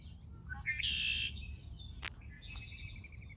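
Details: Red-winged blackbird at Rehoboth Beach, Delaware: two quick rising notes, then a loud, buzzy, drawn-out trill, followed after a sharp click by a softer trailing trill, with low beach rumble underneath.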